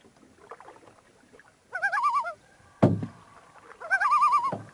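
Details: Common Loon on a remote Canadian lake during a fishing trip; two wavering, quavering tremolo calls about two seconds apart, separated by a sharp splash or knock, likely from the boat.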